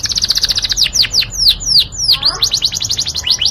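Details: Yorkshire canary song opening with a fast buzzy rattle, moving into loud sweeping downslurred whistles, then returning to rapid rattling notes; sweet-toned and close.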